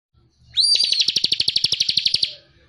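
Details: Bar-winged prinia, known locally as ciblek cristal, singing in the chatty ngebren style used to train songbirds: a rising whistled upsweep breaking into a rapid, even buzzy trill of about fifteen notes, then fading.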